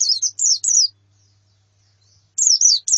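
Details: High, piercing white-eye calls from a female and colony, meant to encourage a male's song: three slurred descending notes, a silent gap, then three more at the end.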